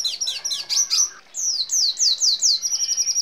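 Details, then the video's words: Red siskin song for training caged birds: jumbled twittering notes, then a short series of descending slurred whistles about every quarter second, ending in a fast high trill. "Red Siskin Gacor Ngeroll Isian Gereja Kolibri Rambatan Kenari ❗️Canto Pintassilgo Venezuelano"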